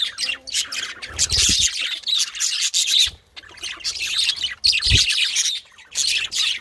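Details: Male budgerigars excited by grapes, chattering continuously with dense, scratchy warbling chirps broken by short gaps, and a few low thumps in the background.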